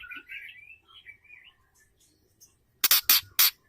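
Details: Female white-rumped shama giving calls to arouse a male: soft warbled and slurred whistles at first, a pause, then three loud harsh rasping bursts.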